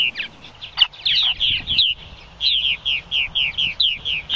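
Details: Several Purple Martins give a jumble of overlapping chirps, then a rapid string of sharp, high, down-slurred alarm notes about four per second. The alarm call likely means a hawk is in the area.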